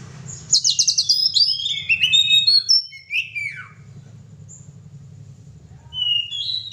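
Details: Kacer (oriental magpie-robin) opening with a loud burst of high, rapid whistles and chatter that fades into a few scattered notes and quiet, ending with a short sliding whistled phrase; low hum in the background.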